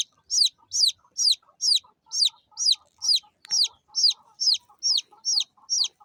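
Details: Chirping of small chicks: a steady run of about fourteen high, falling peeps, two per second, over a faint low hum and occasional soft clicks.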